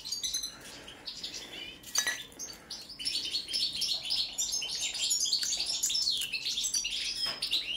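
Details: ['European goldfinch, subspecies balcanica, heard in a song check: a dense, rapidly repeated run of tinkling chirps and buzzy trills, with a sharp click near the start.']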